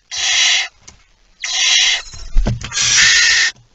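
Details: At the nest with prey after midnight on 23 September 2019, a barn owl gives three harsh rasping hisses, the last one longest, with a knocking, scuffling noise between the second and third.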